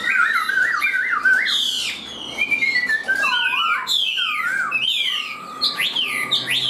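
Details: Tame Chinese hwamei, hand-carried, singing strongly: loud, rich and varied phrases of fast whistled trills, sweeping slurs and repeated notes that change pitch without pause, heard in a small room.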